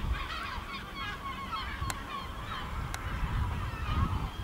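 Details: Gulls flying over a village in El Ortegal until nightfall: many overlapping wailing, yelping calls at mid pitch from several birds, with steady low wind rumble underneath.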